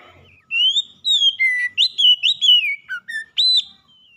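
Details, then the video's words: Oriental magpie-robin, normally quiet, now singing without pause: a long flowing run of pure whistles, gliding up and down, with quick warbled notes and a bright rising whistle near the end. "KACER MALAS BUNYI TERPANGGIL LANGSUNG TAK HENTI HENTI GACORNYA"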